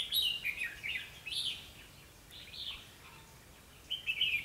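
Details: Red-whiskered bulbul decoy bird singing to fight during trapping on 21 October 2016: bright whistled phrases, high and quick, in short bursts separated by pauses, with a low background hiss.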